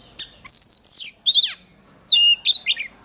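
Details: Oriental magpie-robin training its contest song: a few brilliant, high whistled phrases, some rising and some falling, with a sweeping downslurred note, then two quick ringing notes after a brief silence.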